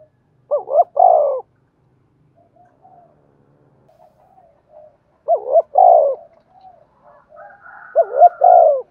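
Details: Spotted dove with a 'thổ' style voice, cooing to get decoy doves calling: three phrases of wavering double notes and a longer low coo, about every three and a half seconds, with soft muttering and a fainter higher call between.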